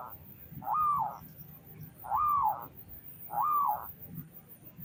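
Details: Local zebra dove singing to prompt other doves to call: three soft, arched coos spaced about 1.3 seconds apart over a low background hum.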